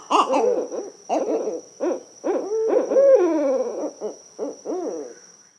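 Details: Barred owl giving a rhythmic series of low, resonant hoots with rich overtones. One drawn-out, wavering note falls away near the middle, and shorter hoots follow. A thin, steady high-pitched whine runs beneath throughout.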